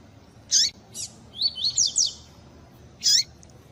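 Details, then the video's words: Double-collared seedeater singing the pure tui tui song style, mixed with female calls used to excite males: high, sharp chirps, then a quick run of thin rising and falling whistled notes, then another sharp chirp. "COLEIRO TUI TUI PURO COM PIADO DE FÊMEA DE COLEIRO ESQUENTAR COLEIRO"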